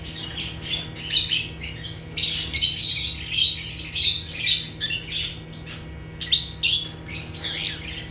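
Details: Natural chirping from rare African lovebirds (Agapornis): dense, harsh, high-pitched squeaking chatter in repeated short bursts with small pauses, accompanied by a steady faint low hum.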